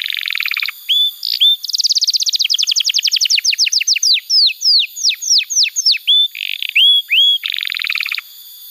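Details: Canary singing, used as training material for young canaries and therapy for non-singing birds: buzzy rolls, a fast trill slowing into separate downslurred whistles, short upswept notes, then a final buzzy roll.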